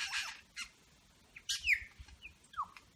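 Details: Wild superb lyrebird at Berowra Valley National Park, copying eastern whipbird, red wattlebird, rainbow lorikeet, grey butcherbird, pied currawong and an engine turning over; quieter harsh noisy bursts mixed with short clear whistled slurs dropping in pitch, with low background rumble.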